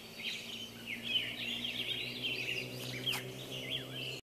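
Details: Dawn chorus of many birds at 5:15 am, 9 July 2012, Monroe, Washington; busy tangle of high whistles, quick chirps and rapid trills overlapping without pause, over a faint low steady hum.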